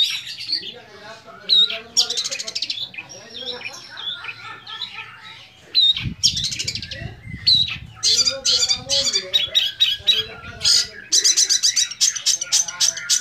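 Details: Young long-tailed shrike singing a varied song with mimicked phrases: dense, rapidly changing chatter of high buzzy bursts, whistles and harsh notes, with a low rumble in the middle.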